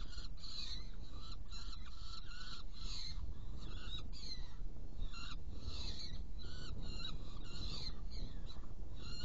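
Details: Saker falcon feeding two young after prey delivery in Hungary, 16 June 2018 at 18:57; rough, somewhat muffled call notes in irregular bursts with brief pauses, over persistent low-frequency rumble.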